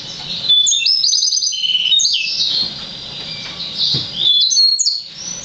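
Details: Young hybrid of Yellow-fronted canary and Black-throated canary, six months old, singing a lively run of high whistled slurs, short trilled bursts and chattering twitters, with brief pauses between phrases.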